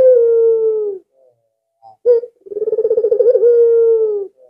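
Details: Albino Barbary dove, a very vocal bird kept as a lure for other doves: a long falling coo, a short clipped note, then a rolling trill that swells into a sustained, slowly sinking coo.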